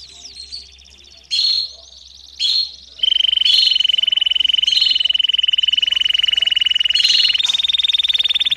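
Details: Domestic canary singing and calling as a lesson for young birds: short bright bursts, then a long sustained buzzing roll held at one pitch for over four seconds before shifting slightly higher, over a faint low hum.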